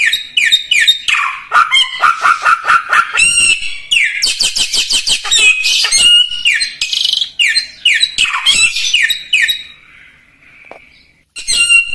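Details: Lively common iora song offered as tutoring material for other birds: fast ticking series, sweeping downslurred notes and buzzy chatter, then a thin fading whistle and a short pause before the song resumes.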